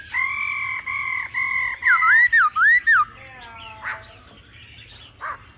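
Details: Laughingthrush in a deep wild-style voice with female calls, used to stimulate singing: a row of four steady, level whistles, then looping up-and-down warbled notes, followed by softer scattered calls.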